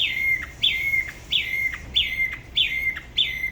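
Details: A Da Lat spot-throated babbler from La Ba river sings alone, in a style said to be unusual for its region. Six falling-then-level whistled phrases come at a steady pace of roughly two per second.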